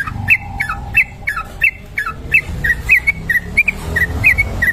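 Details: Sooty-headed bulbul in long continuous song for luring: clear whistled notes with quick upward and downward slurs, delivered in an uneven series about one and a half per second, with faint low rumble beneath.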